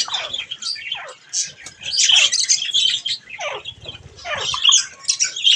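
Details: Bathing budgerigars produce uneven bursts of scratchy, twittering warble mixed with sharp squeaks and short descending chirps, with soft fluttering beneath.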